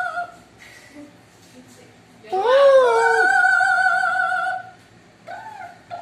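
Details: Pet parrot singing on a staircase: soft murmured notes, then a loud, sustained, wavering tonal note lasting about two seconds, followed by a shorter rising whistle, in a quiet indoor setting.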